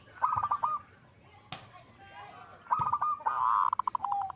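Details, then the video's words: Zebra dove singing lively: a short burst of quick coos, a sharp click, then a second burst running into a buzzy, rapidly repeated trill at the end. "Perkutut mana yang gak nyaut dengan Suara perkutut gacor ini"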